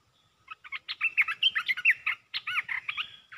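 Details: Red-whiskered bulbul rapidly delivering its 'perd dok' (flower-opening) song style: quick bursts of bright, bubbly whistled and warbled notes, a chattering run of about two seconds, a short pause, then another lively phrase.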